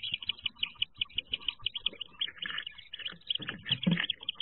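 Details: Wood duck ducklings inside a nest box in 2023, before jumping from it: a dense chorus of high, rapid peeps repeated in quick bursts, with soft scratching and bumping underneath.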